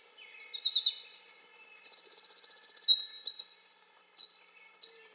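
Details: Singing winter wren delivering a high, fast, bubbling torrent of notes that climbs into a dense rattling trill, then breaks into varied squeaky twitters and short trills.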